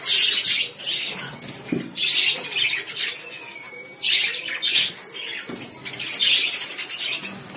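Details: Loud, shrill lovebird squawks and chirps coming in bursts every second or two, with a thin whistled slide and a steady hiss underneath.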